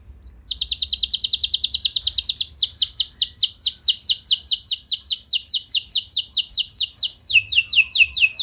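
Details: Canary delivering an extended roll to stir other canaries into song: one unbroken stream of rapid, evenly repeated high descending notes lasting several seconds.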